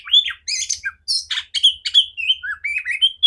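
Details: Loud, clear song of a female oriental magpie-robin used to train other magpie-robins: scratchy broadband chatters open the phrase, then smooth whistled notes slide down and up in quick succession.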